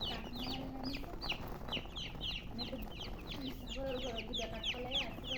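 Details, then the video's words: Chicks chirping in a busy flock: rapid high, descending peeps overlapping throughout, with a few lower, softer notes underneath. "Baby "Chicks Chirping""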